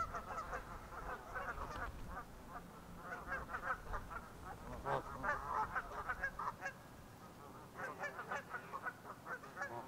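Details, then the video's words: Canada geese calling on Pandapas Pond in Blacksburg, Virginia, late winter: a more distant, softer jumble of nasal honks from several birds, with low rumbling background noise throughout. "Canada Geese at Pandapas Pond"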